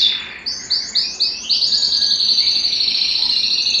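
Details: Aroused canary singing to court a female: a few upward-sweeping whistles then a rapid, continuous high trill of repeated notes, with soft background hiss.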